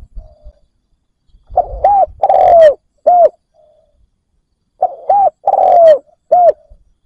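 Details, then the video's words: Captive spotted dove used as a lure for wild doves, repeating its cooing phrase twice about three seconds apart. Each phrase has short rounded coos, one long descending coo and a brief final note, with faint murmurs between. "Cu mồi gáy kích bổi cực nhạy dành cho bổi khó tính"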